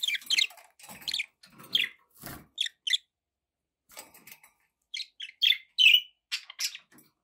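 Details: Several pet budgies make short, bright chirps and clipped squeaky notes in scattered clusters. There is a quieter gap mid-way, then a louder run of sharp high tweets near the end.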